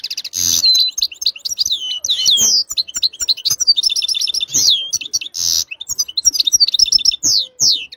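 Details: European goldfinch singing a fast, continuous twittering song of bright chirps, trills and buzzy notes, with quick rising and falling whistled slurs packed throughout, close and loud, with no other sounds intruding.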